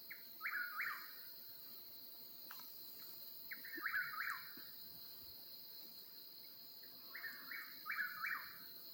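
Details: At night in the Oklahoma mountains a wild eastern whip-poor-will gives its rhythmic three-note whistled call, phrases repeated roughly every three to four seconds, with a constant high-pitched insect chorus behind and a faint click.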